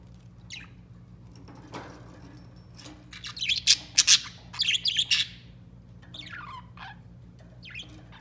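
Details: White pet budgerigar singing indoors: bursts of dense, buzzy, high chattering warble in rapid pulses, flanked by scattered short downward-sweeping chirps, over a low steady hum.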